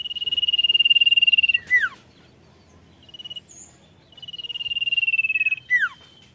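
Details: Sirtu song: a long high buzzing trill that rises in volume, a quick descending slur, a short softer trill, then a second long trill ending in another sharp down-slur.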